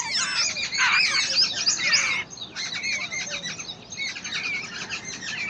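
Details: Wild babbler chicks fed by their parent: a dense, continuous chatter of rapid scratchy chirps, louder for two seconds, then a softer steady twittering.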